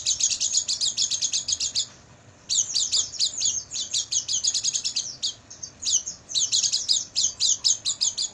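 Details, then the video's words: Oriental white-eye song for training caged birds, recorded at night: rapid high twittering bursts of sharp chirps, dense and continuous, with a brief pause near the two-second mark before the chatter resumes. "MASTERAN PLECI MALAM HARI,AGAR PAGI GACOR BUKA PARUH dan bongkar isian"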